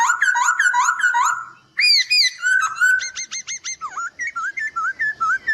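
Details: Gacor master song of a white-crested laughingthrush for training birds: fast rolling whistled notes, then a burst of quick rising-falling whistles and crisp repeated notes, ending in a steady chain of short looping whistles.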